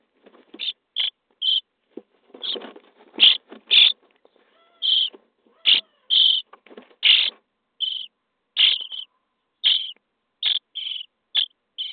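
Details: Starling nestlings in a nest box on day 23 beg while fed, giving many rasping bursts at irregular spacing, often doubled or tripled, with scratching and shuffling noises among them.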